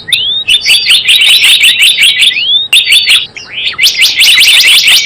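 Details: Java sparrow trapping lure: almost continuous high, rapid chirping with rising whistled slurs, briefly interrupted twice, forming a busy, bright chatter.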